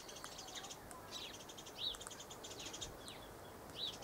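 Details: Galahs feeding in the late afternoon, filmed 23 November 2013: scattered short, harsh chet notes and quick downward-sweeping squeaks, roughly one burst every two seconds, over a steady thin high tone and faint outdoor hiss.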